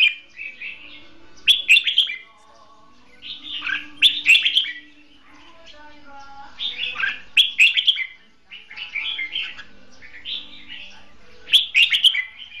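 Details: Red-whiskered bulbul, a caged decoy bird used for trapping, singing hót đấu (fighting song): short bright warbled phrases in bursts every two seconds or so, with quiet gaps and faint background chirps.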